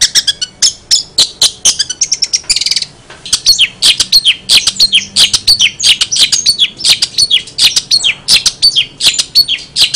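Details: Long-tailed shrike, said to be in energetic voice with odd sounds: a long, busy outpouring of high chirps, buzzes and scratchy phrases, briefly interrupted then resuming at a hurried pace.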